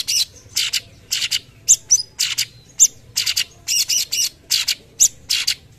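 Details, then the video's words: Busy "tembakan" song by a cucak cungkok: paired rasping bursts interspersed with sharp, high whistled pips, delivered at a steady rapid pace. "Masteran tembakan cucak cungkok gacor"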